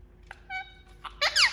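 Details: Indian ringneck parakeet kept as a talking pet, making sounds: a few short clear tonal notes, then a loud harsh, screechy burst with sweeping overtones lasting about a quarter second.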